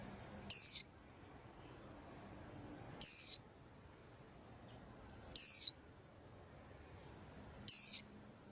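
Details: White-eye among caged birds on a rack, its calls reportedly rousing them all: four shrill, brief whistles slurring downward, repeated about every two and a half seconds, evenly loud, with a faint steady high hum behind.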